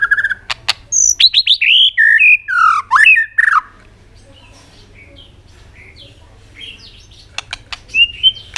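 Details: White-rumped shama singing hard to stimulate other birds: a rapid string of high, swooping, varied whistles and sharp clicks, then a quieter stretch with faint distant notes and a final short whistle.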